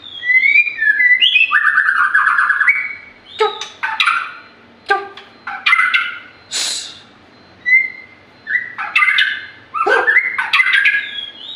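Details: Rich, varied white-rumped shama song: fluty whistles sliding up and down, fast trilled and chattering passages, sharp clicks and harsh notes, delivered in bursts separated by short gaps.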